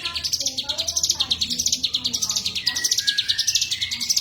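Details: Lively cigun song: a steady stream of bright, sharp chirps, several each second, rising and falling in pitch. Faint lower tones sit in the background.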